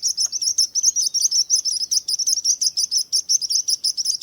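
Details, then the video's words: A bird sings a rapid, high chattering series of chirps, about two to three notes per second, bright and continuous with no other sounds. "Relaxing Birds Chirping Sounds"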